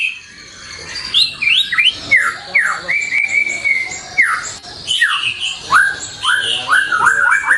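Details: White-rumped shama singing for pet-bird luring and tutoring: loud, varied phrases of swooping whistles, some sliding down, others upslurred, with a long level whistled note between.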